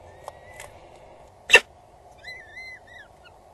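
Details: Two peregrine falcon chicks being fed on an Axel Tower nest, Netherlands, 12:43 on 19 April 2022; a loud knock, then a few short high whistled whines with harmonics over low hum.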